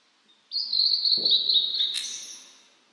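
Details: Blue-and-white flycatcher in spring song on a cloudy 14°C mountain day after rain: a long, sustained high whistle with a slightly wavering pitch, ending in a quick sharp upward flick.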